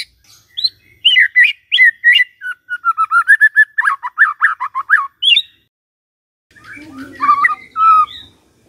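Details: White-rumped shama song used as a morning lure to prompt a quiet shama to sing: varied whistled phrases, then a rapid series of short, even notes, a pause, and softer warbling with faint low background sound.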